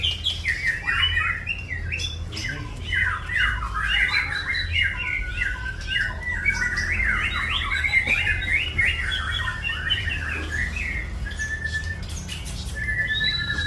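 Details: Murai batu (white-rumped shama) singing a masteran full isian song: a long unbroken stream of varied chattering, whistling and warbling notes, jumping up and down in pitch, with a constant low hum underneath.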